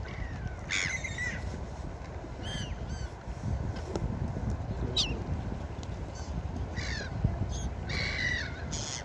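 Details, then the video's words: Gulls calling at a beach: a series of harsh, harmonic cries, some drawn out and falling, several overlapping, over a steady low rumble of surf and wind. "Seagull Beach Sound Effect| Seagull sounds"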